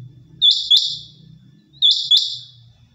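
A quail gives sharp, high two-note chirps, the pair repeated about every one and a half seconds, against a faint low hum.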